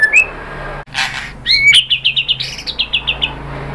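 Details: White-rumped shama, called murai batu, singing a pancingan phrase to stir other shamas: a rising whistle, a burst of harsh noise, then a rapid string of about ten evenly spaced sharp chips slowing toward the end.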